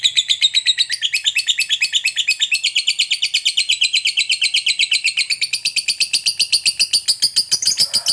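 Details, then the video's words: Fighter lovebird in extended ngekek chatter, a call to make other lovebirds answer: an eight-second unbroken run of sharp, rhythmic high chirps, close to six per second, drifting slightly lower toward the end. "Suara Burung Lovebird FIGHTER Ngekek Panjang PANDAI Pancing EMOSI, Apapun Lovebirdmu PASTI NYAUT"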